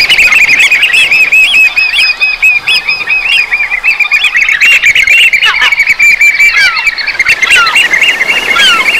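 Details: Several Eurasian oystercatchers on the Brittany coast of France pipe loud, shrill 'kleep' notes in a rapid, overlapping stream, calling at once with hardly a pause.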